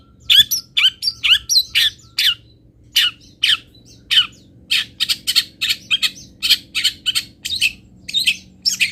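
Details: Fill-in song of a local long-tailed shrike from Pati, tutor material: dense series of harsh, squawking chatter notes, loud and rapid, sometimes doubled or tripled, with barely any pause across the stretch.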